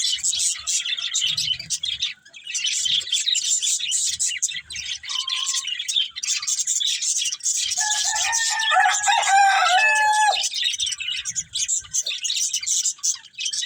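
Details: Feeding budgerigars chatter steadily in high, scratchy chirps throughout, while a rooster-like crow breaks through loudly in the middle.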